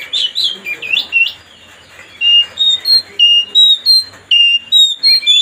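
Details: Oriental magpie-robin song meant to provoke a rival: a few loud swooping notes, a short pause, then a crisp series of pure whistles repeated about three times a second.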